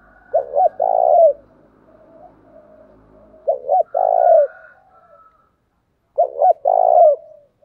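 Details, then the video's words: Cooing of a spotted dove used as a decoy to call wild doves: three strong phrases, each two brief notes and a drawn-out purring coo, separated by softer low cooing and a faint higher whistle. "Chim Cu Mồi Như con này anh em nào cũng muốn sở hữu, bổi rừng nghe ức chế mà về cội"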